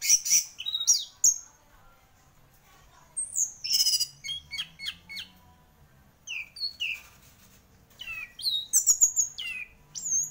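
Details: Orange-headed thrush, a singing champion, pours out varied high whistles, falling slurs and rapid chattering notes in several phrases across ten seconds.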